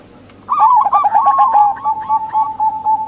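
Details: Zebra doves, local and Bangkok types, with a local female calling to lure males or wild doves. After a quiet start, a loud warbling roll of quick coos begins and settles into a steady trilled note.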